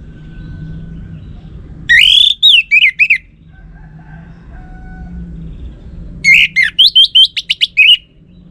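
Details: Lure song of an orange-headed thrush, meant to provoke a male into replying, North Bali: two bursts of loud, sweet whistled phrases with sharp slurred notes, separated by about three seconds of quiet with soft low rumble.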